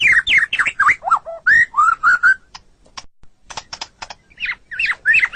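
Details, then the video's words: White-rumped shama singing energetically, used as tutor song for training pet songbirds; quick varied whistles, sweeping up and down, with some chattering notes and a brief quieter gap before the whistled phrases resume. "Suara Burung Murai Batu"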